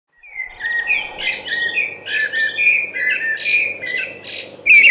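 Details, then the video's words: Thrush singing: a run of varied whistled and warbled phrases around the upper-middle pitch, closely spaced with short gaps, over a faint low background hum. "Beautiful Thrush Singing"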